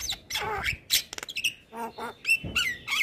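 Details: Male white-eyed Javan myna song used as a lure for reluctant birds: harsh rasps, a sharp squawk, stuttering clicks, then nasal warbled notes and short whistles.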